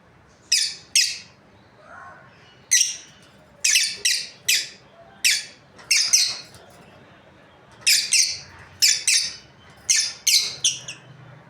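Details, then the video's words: A breeding pair of lovebirds giving loud, harsh, high squawking chirps in short bursts, often paired or in quick runs, with brief quiet gaps between them, in a small room. "Happy lovebirds chirping sounds| breeding pair"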